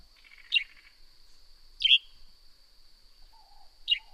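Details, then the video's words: Three abrupt, downward-slurred chirps from a Northern grey-headed sparrow, spaced more than a second apart. A constant thin whine runs beneath them, and a faint low warble comes near the end. "Northern Grey-Headed Sparrow Serenade"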